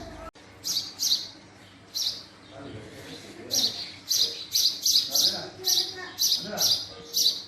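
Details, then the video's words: Male house sparrow chirping: short, bright chirps given singly or in quick pairs and trios, coming faster in the second half at roughly two per second, with a faint low background murmur. "Call Of Male House Sparrow"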